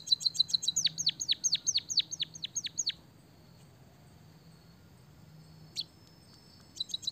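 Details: A burst of high buzzy trilling followed by a row of loud descending whistled chirps from a white-headed munia singing canary-style phrases, then a quiet stretch broken by one sharp note and a final brief trill.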